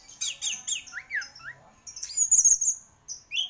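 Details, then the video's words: Orange-headed thrush, praised as a champion, prolific singer, in a varied song of high sweeping whistles and slurred downward notes, with thin, very high drawn-out whistled phrases. "Burung Anis Merah Gacor Juara"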